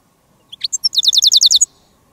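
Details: European goldfinch (jilguero de reclamo), a decoy bird calling to wild goldfinches during a countryside outing: a couple of sharp introductory chips, then a fast run of about twelve bright, high twittering notes lasting roughly one second.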